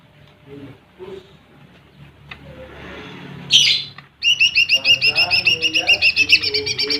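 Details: Lesser green leafbird song used to provoke rival birds. Quiet low murmuring, one harsh burst, then a fast run of bright, sharp, high repeated notes, about three to four per second.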